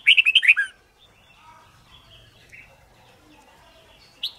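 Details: White-cheeked red-whiskered bulbul in competition-style singing for song training: a quick opening burst of five or six loud, liquid whistled notes, then faint soft chatter and one short closing note.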